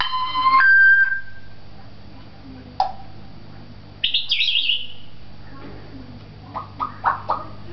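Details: Captive talking African grey parrot at a pet shop in Beit Hanina, Palestine: a steady pure whistle that jumps upward, then sparse clicks, a rising-falling squeal and a quick pair of bright chirps over a low indoor hum.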